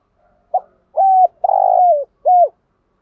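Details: Spotted dove calling in the local thúc gù and gáy gọi styles to excite wild doves: a brief soft note, then a level hollow coo, a long buzzy trembling coo that slides down, and a final down-curving coo.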